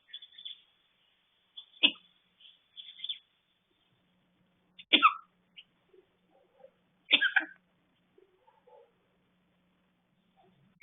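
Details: Eclectus parrot imitating the cough of someone with a cold: scattered short, harsh, raspy cough-like bursts, some doubled, separated by quiet gaps, with a faint low steady hum beneath.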